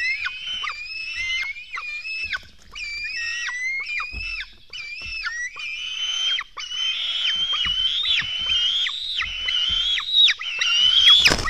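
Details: Black stork nestlings begging as they are fed at a nest in Latvia, 24 June 2016 at 04:53: a continuous run of high, squealing harmonic cries, many rising then dropping sharply, overlapping and irregular, with a louder burst at the end.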